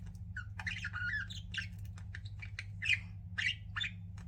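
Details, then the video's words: Pet budgerigars chattering: rapid scratchy chirps and brief whistled slurs, louder squawks near the end, steady low-pitched hum behind. "CUTE PET BUDGIES CHIRPING"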